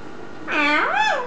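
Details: Indoor pet green eclectus parrot talking: one rich, harmonic, speech-like utterance that rises and then falls in a smooth arc, lasting under a second, in a quiet room.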